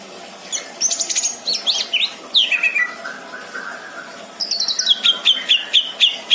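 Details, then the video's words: Greater green leafbird kept as a caged pet in Indramayu, singing fast chattering chirps, a long falling whistled glide, then a rapid string of repeated high whistled notes. "burung cucak ijo isian mantap!!!"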